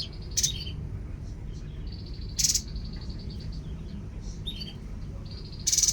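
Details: Babbler, locally called tepus, giving short, harsh, broadband chatters about every two seconds, each led in by a sustained, high, thin trill, over low steady background noise.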